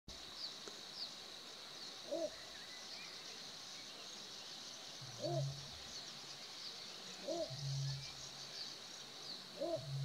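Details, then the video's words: Little bittern giving deep, short barking croaks repeated every two to three seconds, alongside a separate higher, rising two-part call from another animal and a constant high insect-like hiss. "Ixobrychus minutus / Little Bittern / Bączek - głos"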